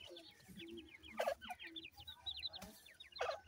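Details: Grey francolin chicks feeding and playing: a steady stream of thin, high, down-slurred peeps from several birds overlaps throughout, broken by a few louder, sharp clucking notes.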